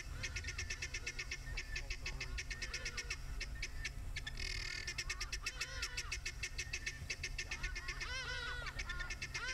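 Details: In the Maasai Mara in the evening, with a storm brewing and thunder around, a flock of guineafowl calls together in harsh, rapid, rattling cackles that overlap into a noisy chorus.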